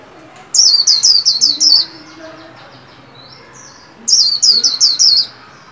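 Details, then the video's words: White-eye kept caged and trained to sing around new year 2021: two bursts of about six fast, high, downward-slurred whistles three and a half seconds apart, with quieter twitters between. "Vành khuyên líu hay đón mừng năm mới 2021! Cùng kích bổi luyện khuyên nào!"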